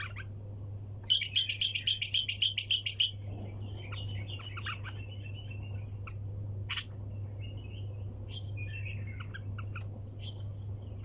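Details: Bulbul in 'hunter' style (tor sayyad), wing taps without pause: a fast, even run of about a dozen loud clicking notes lasting two seconds, followed by quieter scattered twittering and single clicks over a low hum.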